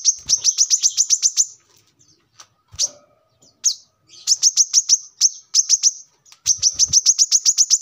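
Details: Brown-throated sunbird (kolibri kelapa or manggar), recorded as a lure and song model: bursts of very rapid, shrill high-pitched chips, about four per second, separated by short gaps with a few isolated sharp notes.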